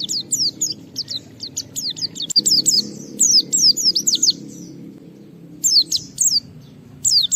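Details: Pleci, a white-eye, singing boldly at a rival to spur other birds to sing: quick high twittering phrases of sharp sliding notes, a quiet gap near the end, then fresh bursts, over a soft low rumble.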